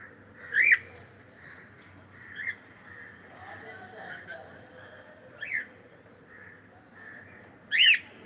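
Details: Cockatiel sounding three loud, arched, rising-then-falling chirps with a bright whistled ring, well spaced over several seconds, between softer short chirps at a steady pitch and a low background murmur.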